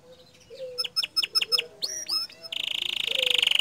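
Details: A canary sings in the gacor dor style, starting quietly with a soft low whistle and a run of spaced sharp notes, then a loud, fast, even trill.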